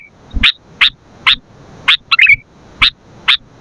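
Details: Sooty-headed bulbul singing 'gacor', a recording for luring and training birds: evenly spaced bright chips roughly every half second, interrupted midway by one jumbled, twittering burst.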